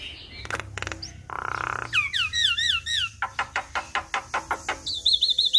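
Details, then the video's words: Javan myna in full imitation-laden song used as a lure for other mynas: dry clicks, a rasping buzz, then looping wavy whistles followed by a steady series of sharp ticking notes and a high trill. "Jalak Kebo Gacor Full Isian Sekali Putar Semua Jalak Bakal Nyaut"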